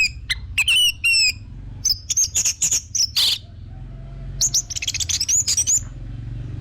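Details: Orange-headed thrush song used as a lure to make other birds sing: high, sharp whistled notes and wavering phrases in quick bursts, broken by short pauses, with a low hum underneath.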